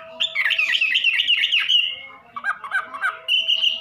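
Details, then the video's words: Wambi from Indonesia giving a jumbled, warbling song of tumbling whistled notes in two bursts, ending on a clear, steady high whistle. "Suara Burung Wambi"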